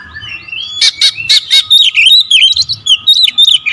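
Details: Oriental magpie-robin (kacer) 'tembakan rapat' lure song: a rising whistle, four loud buzzy blasts in quick succession, then a fast run of chirped, looping whistles about four per second; faint low hum behind.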